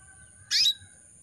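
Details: One crisp, high chirp from a breeding-condition female canary calling males, a single quick note against a faint steady background hum.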